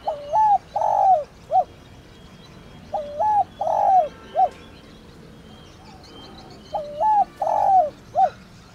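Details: Thổ đồng style spotted dove calling to lure and excite other doves. Three repeated phrases of soft, low coos: a quick two-part note, a drawn-out falling coo, then a brief end note, spaced roughly three seconds apart.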